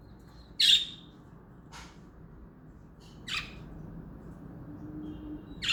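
Budgerigar giving a few brief, harsh, scratchy chirps spaced a second or more apart.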